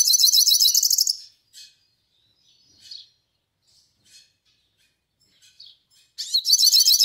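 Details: Melodious song of a yellow-faced siskin from northeastern Brazil: a rapid high twittering phrase, a quiet stretch of faint chips, then the bright jumbled warble resumes.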